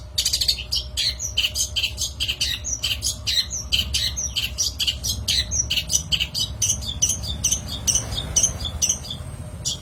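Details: Lure recording of a long-tailed shrike: dense, continuous scratchy twittering and chattering notes. It loosens into more spaced, squeaky notes near the end. Faint hiss lies underneath.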